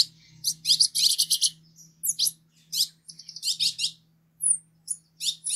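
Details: Green-headed tanager song of dense high buzzy phrases and quick downward-slurred chips, broken by short pauses, plus one thin descending whistle, all above a faint continuous hum.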